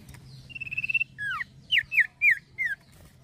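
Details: Male common iora in lively song: a fast, even rattling trill on one high note, then five loud, clear whistles, each sliding steeply downward, spaced about a quarter second apart, over a low steady hum.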